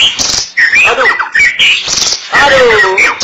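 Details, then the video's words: White-rumped shama delivering loud, close phrases of looping whistled sweeps, separated by brief harsh bursts and short gaps. "Beginilah kicauan MURAI BATU SUPER"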